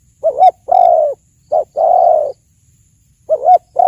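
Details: Close, clean cooing of a spotted dove: a wavering double note, then a long, hoarse coo, a short note and another long coo, the phrase starting again at the end.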